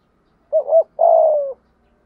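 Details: Spotted dove kept as a lure bird, 'thúc gù' cooing in a 'thổ' voice. A single phrase opens with a quick two-part wavering note and ends in a long, husky, gently descending coo.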